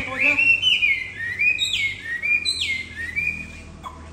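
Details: Caged Chinese Hwamei, an old wild-caught bird and very tame, singing loud, rich whistled phrases that slide up and down, with sweeping upward notes repeated about every half second and a faint hum behind.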